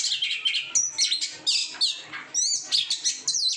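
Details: Oriental magpie-robin, a caged bird kept and trained for singing, delivering a dense, varied song of high whistles, sharp chirps and fast rising and falling sweeps with barely any pause between phrases.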